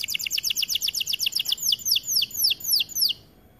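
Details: White AF canary singing energetically: a quick run of high chirping notes that slows into louder, separate downslurred whistles before stopping abruptly.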